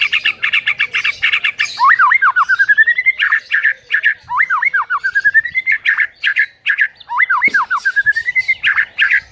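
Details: White-rumped shama song as a morning training lure for a mute bird: loud, continuous chatter with three repeated swooping whistled phrases, each ending in a short rising trill.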